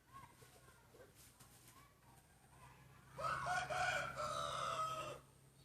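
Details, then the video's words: Crowing contest among breeding roosters: after quiet farmyard murmurs and a low steady hum, one rooster bursts into a two-second crow, coarse and loud, its pitch stepping up slightly before ending abruptly. "Tso qaib sib khav thiab mloog suab qaib qua ua si ประชันเสียงขันพ่อพันธุ์หลักครั้งแรกเสียงขันดีมากๆ"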